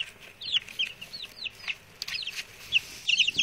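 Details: Chatty peeping from six male chicks that arrived today: shrill, downward-sliding notes in clusters, several birds overlapping near the end, over faint background rustle.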